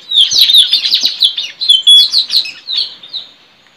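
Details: Wild white-rumped shama recorded in forest while being tracked at a bird-trapping tree; the recording is used as a lure. Loud, dense run of varied whistled and chattering notes, rapid and continuous for about three seconds, fading out.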